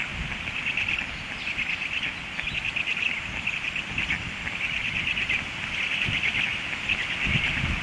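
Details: Hungry stork chicks beg with continuous high, grating pulsed calls that rise and fall in bursts, over a low rumbling background.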